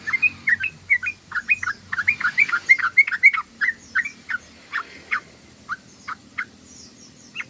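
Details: Sooty-headed bulbul giving a busy ngeriwik chatter: dense bursts of bright, slurred chirps, fastest in the middle, then slowing to single spaced notes.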